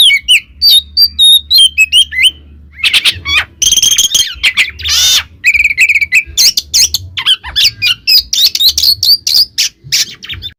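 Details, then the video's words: Oriental magpie-robin song used to provoke other magpie-robins: a dense run of sharp whistles, quick chattering notes and harsh buzzy bursts, mostly high-pitched, with a faint low hum underneath. "suara burung Kacer kembar bikin Kacer lain kepancing EMOSInya"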